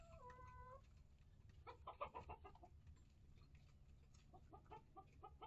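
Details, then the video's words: Hens and young chicks of mixed breeds, including Rhode Island Red, Barred Plymouth Rock, Light Brahma and Ameraucana, in a coop and run; a short whining tonal note, then quick bursts of clucks in uneven clusters over a low mechanical hum. "Chicken Coop Cam Live!"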